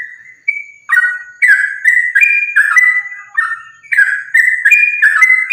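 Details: Sooty-headed bulbul giving continuous fighting song, meant as a lure to make other birds of its kind sing. Opens with two clear whistles, then short rich warbled phrases follow in steady, rapid succession.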